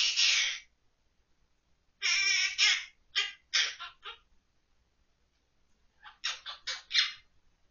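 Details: Pet monk parakeet recorded in October 2023 rendering the children's songs San Tokki and Ppo Ppo Ppo from memory. Grating, voice-like phrases: one long opening syllable, a cluster of choppy notes, a pause, then quick staccato syllables.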